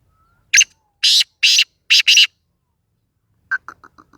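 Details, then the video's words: Black francolin of the Sindhi type gives five loud, rasping notes, the last two nearly run together, followed after a pause by a fading series of short, softer clicks. "Sindhi Kala Tetar Such Subhan Teri Qudrat Boli Awaz Tetar"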